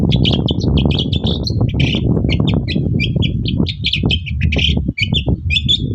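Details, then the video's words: Lively morning song of a long-tailed shrike, played as a lure so other shrikes respond: rapid, continuous chattering of short sharp notes and brief whistles, with a constant low droning background. "BURUNG CENDET GACOR PAGI HARI BIKIN CENDET MANAPUN LANGSUNG NYAUT"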